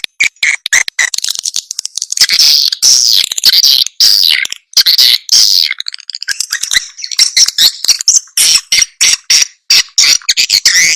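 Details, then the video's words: Swiftlet lure recording of the roosting, pulling and calling kind: dense high twittering chirps and buzzy trills, nearly continuous with brief gaps, no other sounds. "SUARA WALET"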